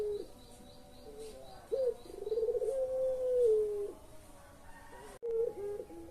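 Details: Pelung-type collared dove calling, a track for drawing silent birds into voice: soft lead-in notes, a hooked rising note, a fast rolling trill and a long gently falling tone, then another phrase starting after a gap.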